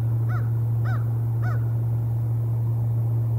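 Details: Female bald eagle at the Decorah North nest webcam on 16 February 2021, the day she laid her first egg of the season; three short, thin, arched squealing notes about half a second apart over a steady low electrical hum.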